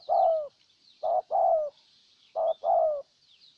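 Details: Ninh Thuận decoy spotted dove luring a wild dove, giving low two-note coos, a short clipped note then a longer one sliding down, with gaps of about a second, over faint high bird twitters.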